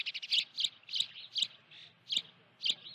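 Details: At Dunrovin Ranch on 16 June 2019, an osprey at the nest holding a live fish gives sharp, high, whistled chirps in an uneven series, about two per second, with a faint low hum underneath.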